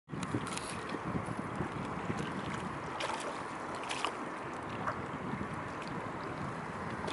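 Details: Gusting wind buffets the microphone over splashing water and boat-like knocks, with no animal calls heard.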